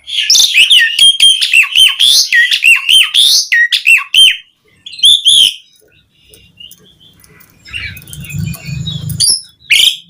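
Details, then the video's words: Jalak suren, the Asian pied starling, in lively song meant to coax other starlings into singing: fast rattling chirps and whistled slurs in the first four seconds, then a pause and scattered harsh notes over a low hum. "Suara Kicau Jalak Suren Gacor Terapi Pancingan Burung Jalak Agar cepat Gacor Full Isian Mewah"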